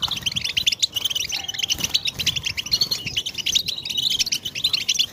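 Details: Massed European goldfinch twittering meant to make goldfinches sing: a continuous stream of bright, tinkling chirps and short trills over low background noise.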